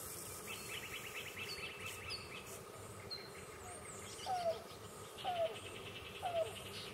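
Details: A presumed female Yellow-billed Cuckoo at Bill Williams River National Wildlife Refuge, La Paz County, Arizona, about 6:00am on July 14, 2015, gives three soft, hollow, slightly falling coos about a second apart, after other birds chirp and trill.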